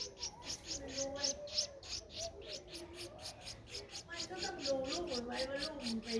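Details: A 12-day-old Streak-eared Bulbul chick, Ubon Ratchathani, Thailand, April 2023, gives a rapid, fairly steady series of thin high chirps, roughly four per second, while a voice talks underneath.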